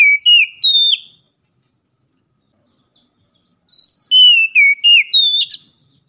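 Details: Oriental magpie-robin giving a loud ngeplong lure song for daily use: a few falling whistles, a long silence, then a rapid run of bright slurred notes closing with sharp chips.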